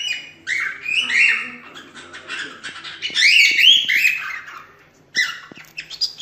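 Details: Natural cockatiel song used to teach chicks: rapid warbling chatter of squawky, buzzy phrases and rising whistles, dense in the first half, a short quiet gap, then a few more chirps.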